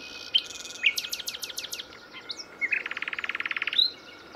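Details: A live singing nightingale gives six sharp, falling notes in quick succession, a brief pause, then a long, rapid, buzzy trill of evenly spaced pulses, with a steady faint tone underneath.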